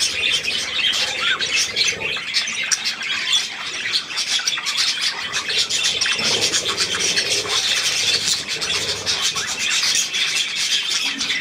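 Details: Budgerigar young at millet, dated 3 May 2024: unbroken, shrill warbling and chirping from several birds for over eleven seconds, with faint lower rasps midway.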